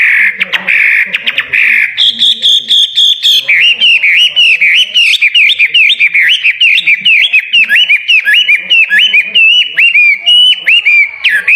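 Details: Caged songbird prepared for a singing contest, delivering a rapid, continuous run of varied whistled notes, sliding and looping, with short chirps and clicks at the start and a brief higher whistled phrase near two seconds.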